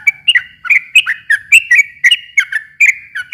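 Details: Energetic sooty-headed bulbul song meant to stir a quiet bird into singing back: dense, liquid chirps and short whistled slurs tumbling in quick succession without pause.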